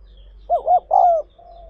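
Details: Spotted dove recorded for training newly caught birds: two quick soft coos followed by one longer, gently falling note, then a faint low hum in the background.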